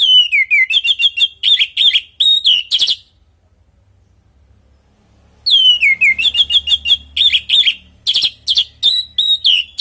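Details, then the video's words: Orange-headed thrush in full natural song, used as a lure to get other birds answering: two bursts of rapid, varied whistles and sharp chirps with sliding notes, split by a silent pause of about two and a half seconds. "Pancingan burung anis merah|Agar nyaut Dan ikut ngeplong|"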